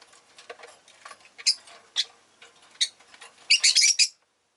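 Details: Pet rosy-faced lovebirds, several kept together and calling fairly often that day: harsh, buzzy chirps at irregular intervals, then a rapid burst of overlapping shrill squawks near the end, with soft background chatter.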